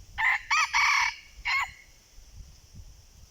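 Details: A wild red junglefowl crowing back at a decoy, loud and close: two short harsh notes, a drawn-out ragged phrase, then a brief final note, followed by low rumbling and soft rustling.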